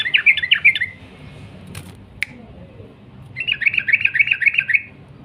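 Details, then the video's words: Sooty-headed bulbul singing a long rapid 'ropel' trill: a burst of fast chattering notes for nearly a second, a pause with two sharp clicks, then a longer run of quick repeated notes for about one and a half seconds. "burung trucuk gacor ROPEL PANJANG"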